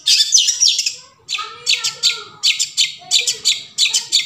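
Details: Forest long-tailed shrike delivering a rapid, uneven series of harsh, buzzy rasps, about three per second, with a brief pause and faint lower whistles beneath.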